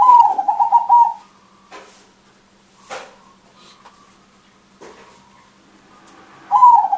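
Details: Big-voiced crossbred zebra dove singing often, kept as a lure to draw other birds: rolling cooing phrases open and close the recording, with a quiet stretch of soft clicks and a constant background hum between them.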